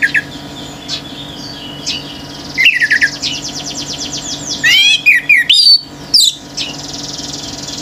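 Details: Male orange-headed thrush singing hard in 'gacor teler' style that stirs nearby birds: soft chirps, then a fast buzzy trill and a run of swooping whistled notes, with a low steady hum beneath.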